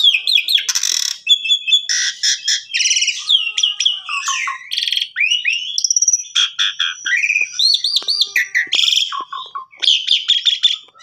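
Asian pied starling singing a long, varied medley of clear rising whistles, harsh chatters and buzzy rattles, delivered in quick bursts without pause.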